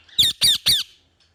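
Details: Parrot giving three loud, harsh squawks in quick succession, each about a fifth of a second long and rich in overtones, separated by brief pauses, then silence.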